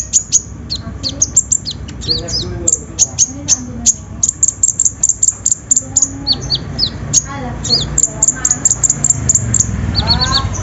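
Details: Sunbird song used as a lure for a bird reluctant to sing: long lively run of very high chirps, sharp ticks and quick down-slurred notes in clusters, with some lower arched notes and a low rumble in the background.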